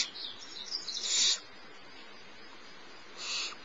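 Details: Barn owl owlet, smallest in the nest, fed by the adult female at Starr Ranch around 10:30 am on 6 March 2011; a rising, moderately loud hissing screech, then quiet, then a softer short rasp.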